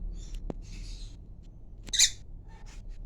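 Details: Male and female African lovebirds giving scattered high squeaky chirps, with one sharp, loud shrill note near the middle and a few softer chatters around it over low background hum.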